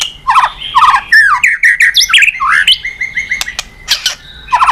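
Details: White-rumped shama singing vigorously to prompt other birds to sing: a fast run of varied whistled phrases, rising and falling slurs and sharp chips, mostly mid-to-high pitched, with short pauses between bursts.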